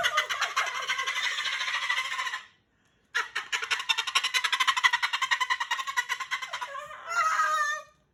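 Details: A male Moluccan cockatoo, very talkative before bed one evening in June 2020, gives long bursts of harsh, rapid, gobbling chatter, broken by a brief pause and ending in a raspy squawk.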